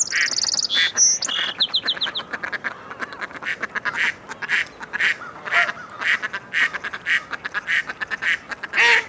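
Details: Mallards quack in rapid, uneven bursts throughout, while a small bird's high whistled notes and a quick trill appear in the first two seconds.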